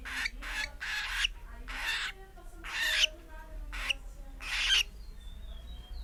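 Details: Pet cockatiel almost four months old, making a strange, nonstop noise once its cage is opened: harsh, breathy rasping bursts of about half a second, repeated irregularly, over a faint low hum.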